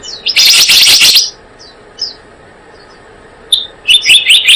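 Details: Loud rush of high, piercing kingfisher notes from a blue-eared kingfisher lure call, followed by scattered faint chips and a final quick run of shrill notes.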